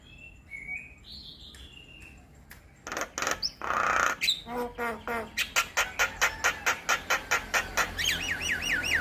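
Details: Javan myna lure and tutor song for all starlings: faint thin whistles at first, then a loud hiss, buzzy notes and a steady run of harsh clipped notes, closing with rapid looping whistles.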